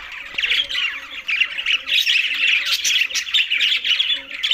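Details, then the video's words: Green budgies eating together in Larkana, Sindh, keeping up a loud, continuous twittering, with grating squawks and fast chirps overlapping for the whole stretch and no pauses. "Green Budgies Talking"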